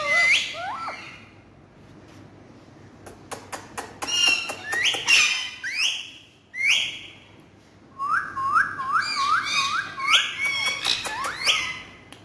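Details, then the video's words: Talking parrots giving upward whistled slurs, bursts of sharp clicks, and a rapid series of about six short rising whistles near the end. "Amazing Full Naughty Talking Parrots"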